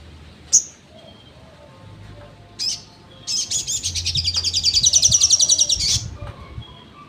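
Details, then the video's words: Crimson sunbird (sogon) delivering its trotol song as songbird training material: two isolated sharp high chips, then a rapid, shrill, ringing trill of evenly spaced notes growing louder for about two and a half seconds, with faint low hum. "SOGON TROTOL materi sejalur"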